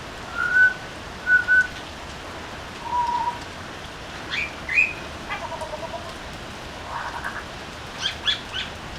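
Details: Butcherbird on a veranda giving pure, level whistled notes, two matching mid-pitched whistles then a lower one, followed by higher short notes and a soft warbled patch, with a constant faint hiss behind.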